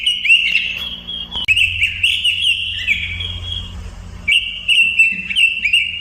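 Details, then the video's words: Robin song: loud, clear whistled phrases that slide up and down, broken by a brief gap near the middle, over a steady low electrical hum. "kicau burung robin"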